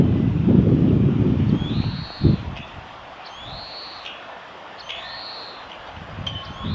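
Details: Spring song of an Oriental greenfinch at a nature conservation centre's observation garden, recorded 9 April 2022: three long arching buzzy wheezes with brief chirps between, after an opening burst of low rumbling noise.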